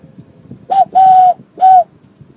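A dove gives three steady, hollow coos: short, then long, then short, all at one mid pitch. A faint low rumble lies underneath.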